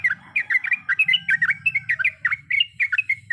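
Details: Female sooty-headed bulbul calling to the male: quick series of liquid chirped notes, each slurred down or up, repeated about four to five per second without pause, over a low background hum.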